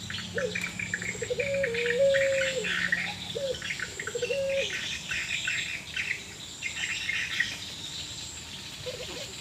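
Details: Puter pelung Barbary doves calling back and forth, reportedly from sadness or breeding condition: several short coos and level drawn tones in the first half, then mostly buzzing insects and twittering birds.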